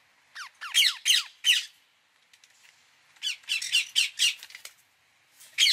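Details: Loud, grating squawks from an Indian ringneck parakeet, descending screeches in clusters of three or four, a pause, then a denser run of rasping notes and a final shriek.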